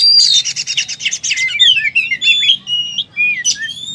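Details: Fighting-mode oriental magpie-robin song rich in borrowed material. A loud rattling buzz opens, then comes a fast mix of slurred whistles, chirps and glides, with one sharp high burst near the end.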